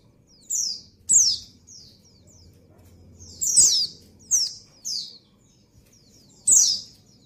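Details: Breeding female white-eye calling a male with scattered high, thin, falling chirps, some loud and some softer, spaced by irregular gaps, above a soft low rumble.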